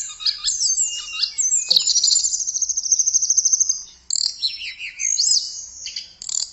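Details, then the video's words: Tledekan, a blue flycatcher, in rich high song: fast twittering phrases, a long rapid trill in the middle, then sharp up-and-down whistled notes, with a short click near the start. "Kicauan Merdu TLEDEKAN Keren Buat Mastro Voice Tledekan Gacor"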